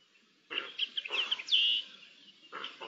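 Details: On 10 May 2021, a group of Eurasian jays communicating: a rough, harsh burst and a string of squeaky clicks, then a drawn-out, rising whistled squeal, followed by another raspy note near the end.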